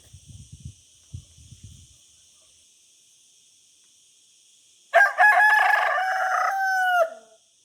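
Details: Rooster crowing once, a loud harmonic cock-a-doodle-doo lasting about two seconds that ends in a falling tail, preceded by faint low thumps and a quiet pause.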